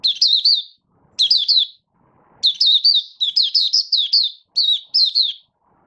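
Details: Malaysian Oriental white-eye (Mata Puteh), a caged bird not in form, giving buka-style song on 1 August 2023: short clusters of bright, high chirps, then a longer run of rapid twittering phrases with brief gaps.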